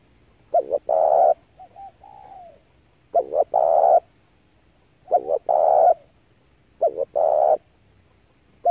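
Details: Spotted dove lure call for trapping wild doves: four evenly spaced loud phrases, two short notes leading into a long rough coo, with quiet sliding coos after the first, and the start of a fifth.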